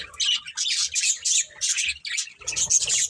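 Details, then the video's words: Dense chirping of a budgerigar breeding pair, quick repeated bursts of raspy, high twittering notes with barely any breaks. "Cute Budgies Chirping Sounds"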